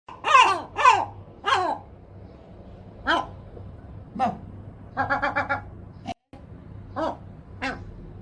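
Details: Two gulls calling together in protest: loud, harmonic, downward-sliding cries repeated about twice a second, then a quick rattling burst of short staccato notes, with more cries after a brief pause, in a quiet indoor-sounding space.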